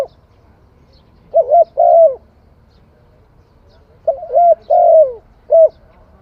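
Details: Cambodian spotted dove song: a phrase of two wavering coos, then after a pause a second phrase of two coos and a short final note, loud and clean with near silence between.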